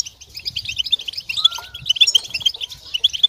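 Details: European goldfinches twittering in a group, a recording to help goldfinches sing while moulting; dense high chirps and trills with a short lower whistled note near the middle.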